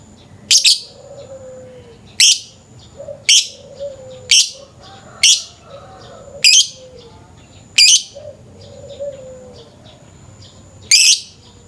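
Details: Lovebird calling in the morning as a lure, its 'ngekek' chatter said to be long: sharp, scratchy high chirps at uneven intervals of one to three seconds, with faint falling whistles from other birds between them.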